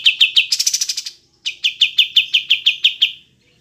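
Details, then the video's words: Kapas tembak (triller) singing in a clear training recording for cage songbirds: a few chirps break into a dense buzzy burst, then after a short pause a steady run of about ten bright, evenly repeated chirps. "Masteran Kapas Tembak Jernih Jeda Durasi Panjang"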